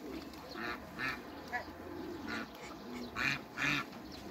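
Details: Hybrid Cayuga and female Muscovy ducks meet, with scattered raspy quacks, the loudest pair near the end, against a quiet hum.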